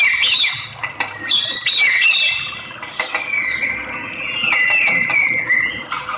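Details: White-rumped shama, presented as a female call to excite a male into singing; high bright whistles and chirps, with several long, slightly wavering notes through the second half.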